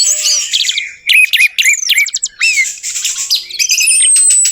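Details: Song of an Orange-headed thrush used to trigger singing in a silent bird: quick clusters of sharp whistled notes and rattling trills over a steady buzzy background.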